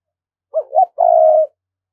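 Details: Lure call of a spotted dove from Đồng Nai in Vietnam, used to pull wild doves in quickly: two quick mellow coos, a short pause, then a sustained, evenly pulsing low croon, with silence around it.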